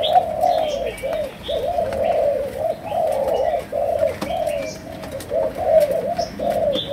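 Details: Chiêu gù, sấm đồng cooing from a Malaysian spotted dove: deep rolling coo phrases repeated with short pauses over seven seconds, accompanied by scattered high twitters of other birds.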